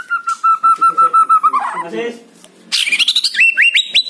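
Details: White-rumped shama song played to lure a captive bird into singing: a clear whistled note repeated rapidly at steady pitch, a brief noisy burst, then a run of rising whistles climbing step by step higher.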